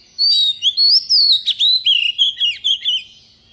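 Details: A decoy Oriental magpie-robin delivers its forest-style song as a rapid run of about ten sweet whistled notes. The notes rise and fall, with a sharp click-like note in the middle.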